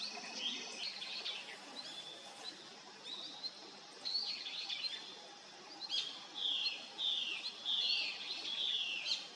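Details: Long-tailed rosefinch, a winter visitor newly arrived in 2023, giving a run of clear whistled notes, each sliding downward, repeated about once a second in the second half, with softer chirps and a faint steady hiss behind.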